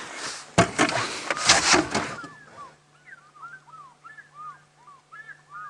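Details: African fish eagles, in flight with the wind and oddly far from water, give ringing, down-slurred yelps in quick series, overlapping pairs, during a sunset safari drive; rumbling wind or vehicle noise and a voice open.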